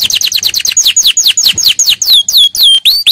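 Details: Training song of a canary, delivered at full power: a quick run of descending whistled notes that slows into longer, clearer downward-sweeping whistles, bright and high-pitched throughout.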